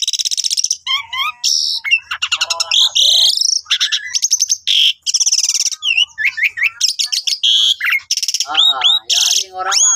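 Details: Asian pied starling, a cage bird singing constantly, in a master song used to train other birds: a dense, fast medley of high whistles, harsh buzzy bursts, rapid rattling trills and upward-sweeping notes, with no background noise.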